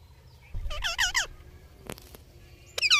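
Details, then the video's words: Indian ringneck parakeet giving a run of quick, harmonic, rising-and-falling squawks, then two sharp clicks and a final high, bent call. "Amazing Parrot Talking Video"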